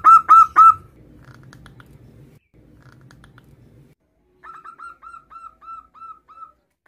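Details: Male local zebra dove calling its mate: three loud, quick cooing notes, a pause with faint murmuring, then a soft series of about eight separate, slightly downslurred coos.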